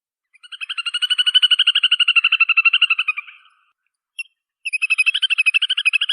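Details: Little Grebe giving its fast, high whinnying trill: a long rapid pulsed run that swells in loudness and then fades, a brief pause, then a second trill starting up.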